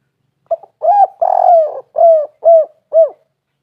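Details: Spotted dove lure call intended to make other doves call back: a clipped opening note followed by a drawn-out burry coo and four rounded, slightly falling coos in steady succession, nothing else heard.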